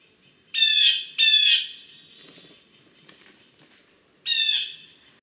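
Blue Jay giving three harsh, nasal 'jay' screams, two in quick succession and a third after a short pause, with quiet background.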